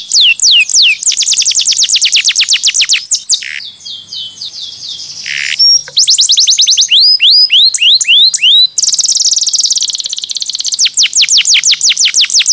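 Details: Canary song used as a training recording for other birds: fast trills of rapidly repeated high downward-sweeping notes, broken by buzzy rolling passages and a lower sliding whistle, all very high-pitched and loud.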